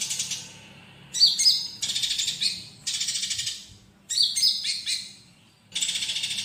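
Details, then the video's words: Olive-backed sunbird tutor recording for training other songbirds, laced with fighting-sparrow phrases: dense buzzy rattling trills alternate with sharp high descending whistled notes, each burst about a second long with brief pauses between. "Masteran Konin Isian Gereja Tarung Jeda 1 Menit || cocok untuk masteran semua burung"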